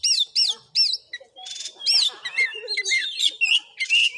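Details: Fighting Oriental magpie-robin, tested for voice in a village of Muko Muko, Bengkulu, opens with three quick looping whistled notes, then mixes a long thin whistle, scratchy buzzes and sharp descending chirps in rapid succession.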